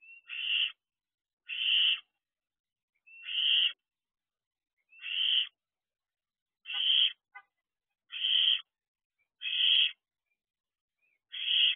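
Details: Young barn owls, three owlets, outside the nest box in the early hours of 2 June 2023: a steady series of eight rough hissing screeches spaced one to two seconds apart, plus a brief click.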